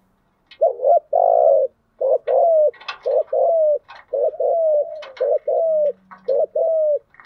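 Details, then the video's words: Spotted dove cooing as a lure to draw wild doves: loud, low hollow coos around 500-700, in short paired and drawn-out notes, grouped into repeating phrases with brief pauses between. "Tiếng chim cu gáy mồi giọng lôi cuốn hấp dẫn đủ bài[ THÚC GÙ , GÁY GỌI ]"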